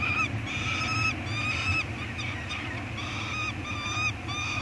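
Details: Peregrine falcon eyasses being fed at a nest on Anacapa Island, picked up by a live nest camera in May 2022; loud, harsh wailing calls with bright harmonics repeated in quick bursts, about one per second, over a low rumbling background hum.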